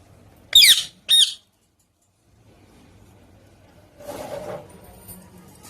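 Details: A talkative pet parrot gives two loud, harsh squawking chirps, half a second apart, then falls quiet; a softer rustling noise follows.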